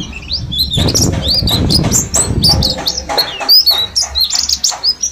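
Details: A captive flock of mountain white-eyes from Mount Slamet, ten days into learning in the wild, twitter together in quick, thin, high chirps and short upslurred notes, with a burst of rustling or fluttering near the start.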